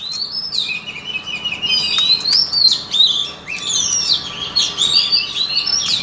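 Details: Rich, varied white-rumped shama song meant for training shama voices, a continuous stream of high whistles, slurs and quick trills with sharp clicks between phrases, rising and falling without pause.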